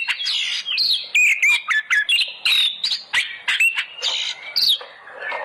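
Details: Oriental magpie-robin song used as a lure to get other birds singing: loud, fast, varied whistles, rising and falling notes and harsh chattering phrases in quick succession, with no other sounds.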